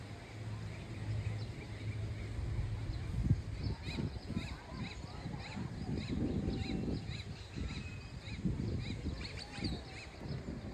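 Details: American coot chicks in San Diego give thin, high peeps in a quick repeated series, about two each second, over a low rumble of wind or water.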